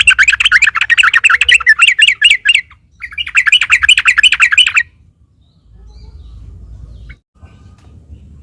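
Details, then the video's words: Fighting-mode sooty-headed bulbul song, meant to provoke other birds into replying: two long bursts of fast, bubbly warbling chatter separated by a short pause, then quiet with faint low background rumble. "trucuk gacor taruNG buat pancingan trucukan agar bunyi"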